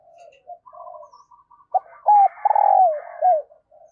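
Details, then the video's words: Spotted dove as a calling decoy at dawn, luring wild doves: faint murmured coos, then a loud repeated coo phrase with short lead-in notes, a prolonged coo and a falling end. "Chim Cu Mồi Gáy Gọi Bổi Sáng Sớm"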